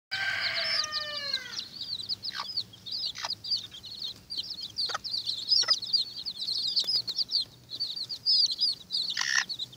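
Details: Watermaalse bantam chicks squabbling over an earthworm: many high, thin peeping cheeps overlap continuously, with a louder descending call at the start and scattered sharp clicks and scuffles.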